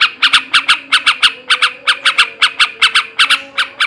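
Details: Harsh ngebrem ngekek chatter from a male sooty-headed bulbul, meant to stimulate breeding drive: rasping notes in quick pairs and short runs, about two to three per second, over a low humming tone.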